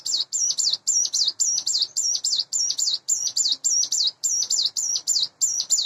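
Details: Caged, hand-reared sunda bush warbler, about eight months old and in breeding condition, singing in the morning: rapid, high, sharp twittering phrases repeated about three to four times a second without pause.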